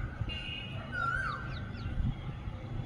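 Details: An Asian koel near an apartment terrace with a pond and park behind, calling as spring lingers, gives a single clear whistled note, slightly sliding, over a steady low rumble of distant traffic.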